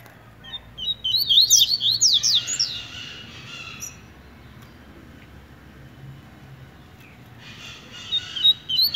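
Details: Competing brown double-collared seedeater delivering its tui tui song style: a loud run of fast, high, zigzagging whistles for about two seconds, a quiet pause, then another burst of the same sharp phrase.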